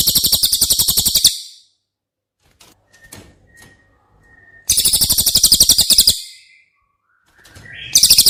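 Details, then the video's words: Cililin trilling, intended as training audio for caged White-rumped shama: fast, high, evenly pulsed buzzy phrases, with short thin whistles and tapping sounds in the gaps. "Masteran CILILIN Materi Wajib untuk Burung Murai Batu anda!!"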